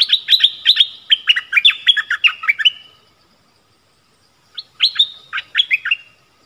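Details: Streak-eared bulbul decoy luring wild birds, recorded 25 January 2021 when the first wild bird of the year was taken. A long, tumbling, bubbly phrase is followed by silence, then a shorter chattering phrase.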